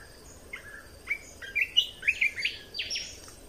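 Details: Red-whiskered bulbul training song for young birds and for getting birds excited: short whistled notes building into a loud, rhythmic string of bright, slurred chirps, about a dozen notes in quick succession.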